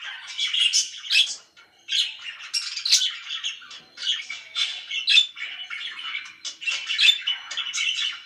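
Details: Several pet budgerigars chirp very loudly, mixing rapid warbles with squawky notes and high whistled chirps. The chatter pauses briefly after the first second and a half.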